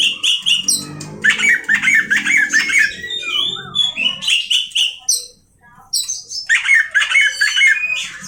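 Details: Oriental magpie-robin (kacer) singing a song said to stir up other kacers; loud, rapid, varied phrases of sharp whistles, harsh squawky notes and chattering trills, with a brief pause midway and a low rumbling hum beneath the first half.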